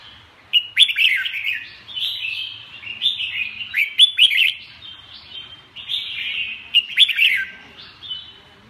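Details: Red-whiskered bulbul repeating loud song phrases of sharp rising whistles and rolling slurred notes, each burst returning about every three seconds, with quieter warbling between.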